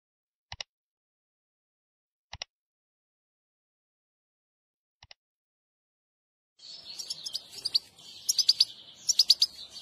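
A European goldfinch gives three brief, sharp double chirps spaced about two seconds apart, then bursts into a fast, high, tinkling twitter over faint background hiss.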